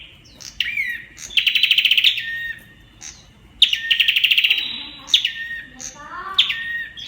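Olive-backed tailorbird song: a sharp, high, down-slurred note, then a loud rapid machine-gun rattle of about a dozen notes, repeated three times with softer chirps between.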